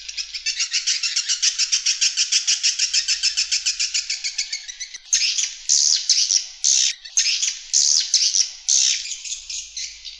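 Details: Swiftlet external lure sound: about five seconds of fast, evenly pulsed high chirps, then longer separate bursts of sharp twittering calls with brief pauses between them.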